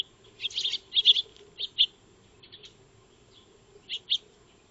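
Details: Backyard Eurasian tree sparrows (Maya birds) feeding, recorded 2 March 2025 on a solar-powered trail camera: clipped tweets in a rapid cluster, then single chirps spaced apart and a final pair, over a quiet low electrical hum.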